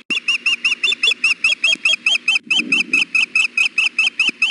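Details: Female osprey at the Hellgate nest fussing for food while her mate is on the nest, afternoon of 6 June 2016 in 93-degree heat: a rapid, steady run of about twenty sharp, high whistled chirps, each slightly rising then falling.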